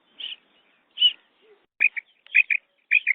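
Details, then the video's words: A female quail, used as a hunting lure call, gives five short, high, sharp notes about every half-second: two single chips, then three quick doubled notes, against a quiet background. "female quail sounds | مادی بٹیر کی زبردست آواز"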